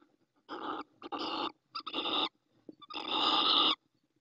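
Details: A female little owl calls from the nest in Ávila, Spain, in late April 2024 while the pair's eggs are being laid, giving four harsh, raspy screeches in quick succession, each under a second and the last longest, with quiet between bursts.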